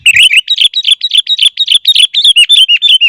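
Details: Sooty-headed bulbul, a tutor recording for caged birds: a fast, even run of sharp, ringing whistled notes, over three per second, each note dipping slightly in pitch, loud and clear.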